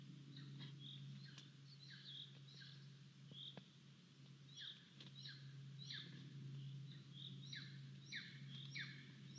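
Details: Impatient golden eagle chick calling for food at an Estonian nest, live camera, 10 July 2022: repeated high, falling squeals in an uneven rhythm, laid over a constant low electrical hum and faint clicks.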